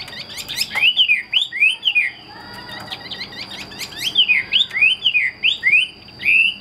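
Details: Caged Chinese hwamei, a bird kept for fighting, sings loud slurred whistles that swoop down and up in quick runs, broken by dry clicks and rattles, over a steady thin high electronic tone.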